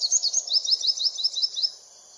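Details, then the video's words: Olive-backed sunbird calling with a fast series of about eleven high, thin downslurred chips over under two seconds, bright and regular, then stopping; a faint low hum underneath. "Olive-Backed Sunbird"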